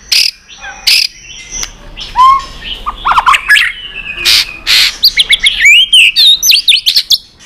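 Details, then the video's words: White-rumped shama singing in competition and flicking its tail: sharp harsh bursts and clicks, then a fast run of rising and falling whistled notes in a varied forest-style sequence. "chòe lửa tạch đập đuôi kích lửa hót đấu căng lửa.luyện chòe lửa hót nhiều giọng rừng dài"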